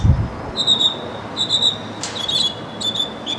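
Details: Mockingbird giving high thin whistled notes with faint upper harmonics, repeated in short phrases with pauses, plus a brief sharp sweep midway and a low thump at the start.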